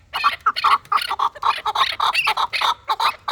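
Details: Chukar partridge of a fighting line delivering a dense, hurried string of clucking chuck notes, roughly four per second, without pause.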